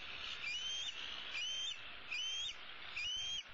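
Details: Female bald eagle eaglet from 2016 in the nest tree, calling for her parents to bring food: four high, thin, level-to-rising whistles, each about 0.4 seconds, spaced roughly 0.8 seconds apart.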